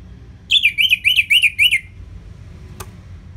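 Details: Orange-headed thrush in ngeplong song delivers six or seven wavering, slurred whistles in a rapid regular series, followed by a faint click, over a steady low background hum.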